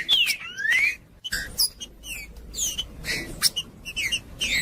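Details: Green-winged saltator song for warming up a cold bird and training young birds for tournaments: a falling then rising whistle, a brief pause, then rapid irregular bursts of sharp whistled notes about twice per second.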